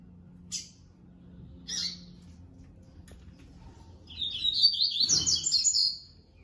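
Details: Yellow-bellied seedeater, a captive male paired with its female, giving two sharp, high chirps, then a quick two-second warbling phrase of tumbling high notes; a faint low indoor hum sits underneath.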